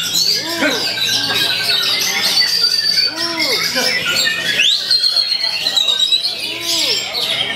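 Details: Kacer singing semi-shama phrases against opponents: long high whistles and sharp upward sweeps laced with chatter, while lower arched calls from other birds recur every couple of seconds.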